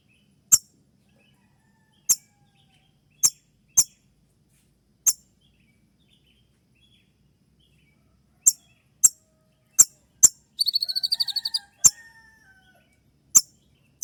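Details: Konin trotol (spotted kolibri ninja) giving its sharp shot song, used as dawn training material for other birds: isolated crisp high ticks spaced a second or more apart, with one brief buzzy trill burst near the end.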